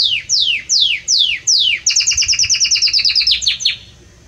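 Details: Powerful, warm Belgian canary song: four long downward-sliding whistles followed by a fast, even trill of about a dozen bright notes.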